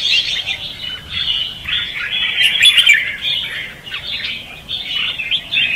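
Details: Red-whiskered bulbul competitive singing in "ché" and "xòe" styles, a recording used as a lure for trapping. Continuous bright chattering warble, dense bubbly phrases with no clear pauses, a few sharp high notes near the middle.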